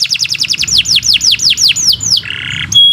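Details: Canary singing, played to coax pet birds into song: quick falling whistles that slow and lengthen, followed by a harsh buzzy note and a short pure high tone.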